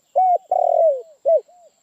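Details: Spotted dove giving one coo phrase. A short level coo leads into a long, rough, rolling coo that slides down. A clipped downslurred note follows, then a soft, quiet trailing coo. The background is silent.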